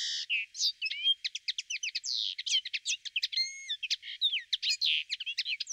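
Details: Common linnet singing a long, varied twittering song of quick chirps, short buzzy trills and clear rising and falling whistles, delivered in rapid bursts with brief gaps, all high-pitched.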